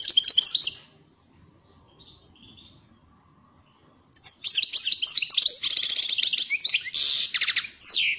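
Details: European goldfinch in lively song: a high, tinkling burst, a brief pause, then rapid liquid twitters with buzzy trills and a falling slur at the end.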